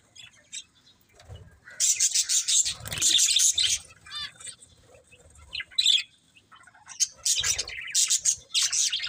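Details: Chirping budgies in uneven bursts of harsh, buzzy twittering separated by brief quiet gaps, with a few whistled notes and soft low thumps like wing flaps.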